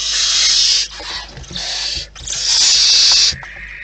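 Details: Barn owls in the wild at their nest: drawn-out, noisy, hissing screeches, with a dip between bursts and a thinner, fading tail at the end.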